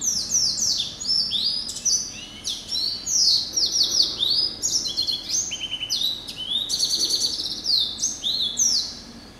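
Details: Male canary-type hybrid (yellow-eyed canary × Timbrado), hatched November 2012 and kept in captivity. Loud, continuous, high-pitched song of fast swooping and trilled notes with brief buzzy rattles, barely pausing.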